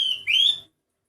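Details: Odd-sounding sooty-headed bulbul, its voice unlike the usual: a level clear whistle breaking into a higher rising whistle, then silence.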